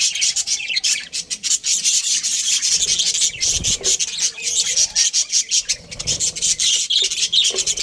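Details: Breeding pair of Australian budgerigars in continuous rasping, scratchy high chatter, dense and unbroken, with rapid clicky pulses running throughout and a faint low rumble underneath.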